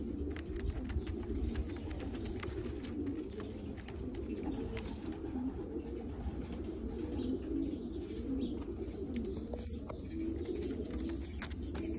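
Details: A group of Bulgarian pigeons gives a long, unbroken low cooing chorus of throaty, wavering notes, layered with many quick clicks and wing taps from birds moving about.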